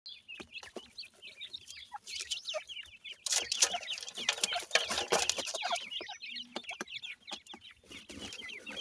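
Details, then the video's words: Pakistani teetar (partridge) chicks at feeding time, a crowd of high, thin peeping calls rising and falling rapidly and overlapping, mixed with sharp tapping clicks, louder in the middle. "partridge birds, pakistani teetar babies feeding"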